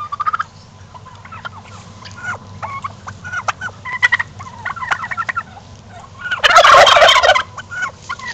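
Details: A flock of domestic turkeys strutting: scattered short clucks and chirps, then a loud, harsh, rattling gobble near the end, lasting under a second.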